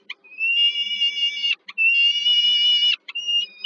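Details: At a Warsaw heat-plant nest in Poland, peregrine falcon chicks plead during their mother's evening feeding, July 2022, giving long, drawn-out whistled wails, three in all, steady in pitch with a rich harmonic buzz.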